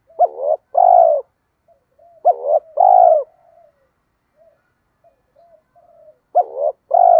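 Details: Spotted dove cooing, a training call meant to push reluctant captive doves into cooing, with both male and female doves said to be included: three pairs of deep, throaty coo phrases, each a short rising note followed by a longer purring one, with soft faint coos between.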